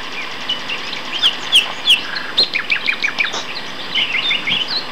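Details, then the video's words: Two male common nightingales singing at Castor Hanglands near Peterborough in May 2012, rich, varied phrases of sharp whistled notes, quick chirps and short rapid runs, overlapping over a faint background hiss. "Nightingale Duet"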